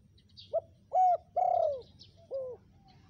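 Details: Spotted dove calling to lure wild birds: short coo, steady held coo, long descending burred coo and a closing falling note, with faint high chirps.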